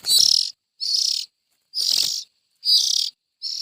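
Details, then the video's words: Strong, raspy bursts from young bulbuls, each about half a second long, repeated roughly every 0.8 seconds with silence between them. "Tiếng chim chèo non.suab mi nyuam noog siv txaij"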